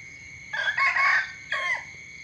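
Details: A rooster gives its morning crow, a harsh, strained call with a short first note, a drawn-out middle and a clipped, dropping finish. Crickets keep up a constant shrill hum behind it.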